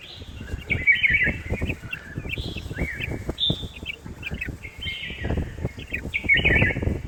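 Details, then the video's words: Red-whiskered bulbul at a home garden in Hosur calling with lively whistled notes, some sliding up, some held briefly, strung into chattering phrases throughout, with noticeable low background noise. "Red-whiskered bulbul Bird at our home Garden"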